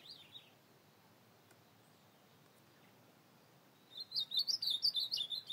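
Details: Ultramarine grosbeak (azulão) recorded at night on 25 August 2024 sings a short, high, warbled phrase of quick sliding notes after a single brief opening note and a pause, over quiet background hiss.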